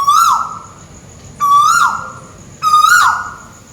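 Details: Scops owl (tuwu bird) calling from above in Malaysia: three steady, ringing hoots, each about half a second with a faint upward lilt at the finish, repeated roughly every 1.3 seconds against a quiet background.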